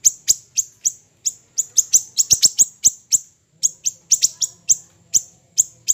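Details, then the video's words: Siri-siri kecil singing for songbird training: a steady stream of sharp, very high chirps, some in rapid doublets or triplets, repeated roughly every third of a second with few pauses, with a soft low hum beneath. "MASTERAN HANDAL burung siri siri kecil"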